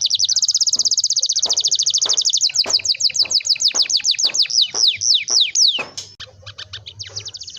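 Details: Canary with a long rolling song, used to stimulate young canaries learning to sing; a very rapid high trill that slows into descending swept notes repeated several times a second, then fades into sparse chirps.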